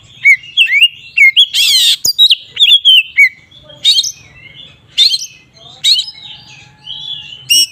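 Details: "Ngeplong" singing by an Oriental magpie-robin, used to make other magpie-robins agitated: a lively opening of varied whistles and a short harsh rasp, then spaced chirpy phrases about once a second, softer toward the end.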